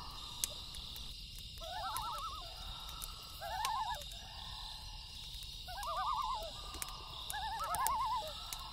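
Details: Loon calling at night: several quick wavering tremolo bursts, each a rapid yodelling warble, repeated in overlapping phrases, with a campfire crackling and popping throughout.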